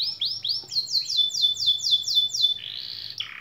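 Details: Canary singing, a master song meant to set silent, lazy canaries singing and rolling: a run of rising then falling slurred notes repeated about four per second, ending in a buzzy trill and a falling note.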